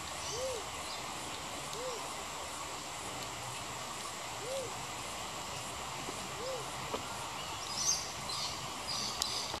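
A crested pigeon gives four soft, low, rising-then-falling whoop notes spaced a couple of seconds apart, over a steady hiss of background noise.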